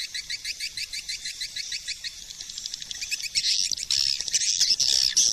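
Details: Swiftlet calling sound with quick, evenly spaced high chirps that build into a louder, harsher, continuous chattering burst toward the end.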